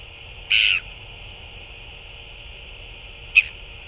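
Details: On 9 February 2024, an adult Northern royal albatross feeds a chick: one strong, short, nasal buzzy call, followed nearly three seconds later by a brief sharp chirp, with steady hiss behind.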